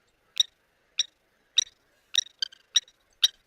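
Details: Blacksmith lapwings at an African waterhole on 17 November 2024 give alarm calls at a baboon troop, which raid their nests: sharp, metallic 'tink' notes like a hammer striking an anvil, seven in about three seconds at an uneven pace.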